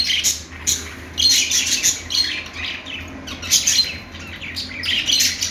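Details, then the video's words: Budgerigar chirping: bursts of bright, rapid high chirps and twittering squeaks coming in clusters about every second, with quieter gaps between, over a faint low hum. "budgie chirping sounds"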